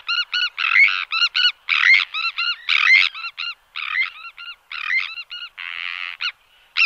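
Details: Sandwich tern calling; the recording comes from displays and calls in flight and alarm calls at the colony. Harsh, grating, rasping notes, often in quick pairs or triplets, about one burst per second, with one longer buzzy call near the end.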